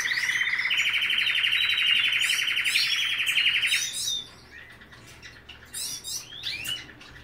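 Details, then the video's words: White male Belgian canary in breeding condition, courting an eager female, sings a long, rapid rolling trill that steps up in pitch after a second, then breaks into varied chirps and whistled notes. "Canario Cantando Blanco En Celo"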